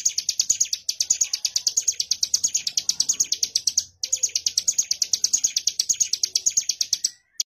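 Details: Ciblek gunung (mountain prinia) bren song in two long bursts of rapid high chipping notes, split by a brief pause near the middle, ending with one isolated note.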